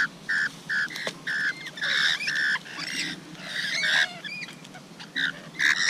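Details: Feeding rainbow lorikeets give a steady run of harsh, raspy screeches, each short and grating, repeated in quick bursts roughly every half second, with scattered higher chirps in between.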